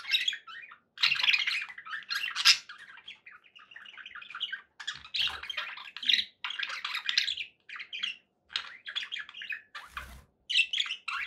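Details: Budgerigars sounding happy: long stretches of scratchy warbling and chirping with sharp squeaks, pauses between phrases and a brief low knock near the end.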